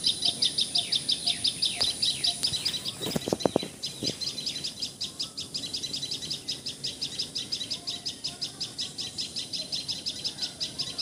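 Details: Common tailorbird calling in Assam, India: a fast, high, chipping note repeated about three times a second, steady throughout, with a few dull low thuds near the middle and a constant thin high hiss behind.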